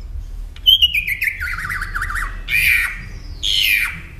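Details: Northern mockingbird song phrase meant for teaching caged songbirds: a long whistled note sliding down into a wavering warble, followed by two harsh, buzzy bursts about a second apart over a quiet low hum.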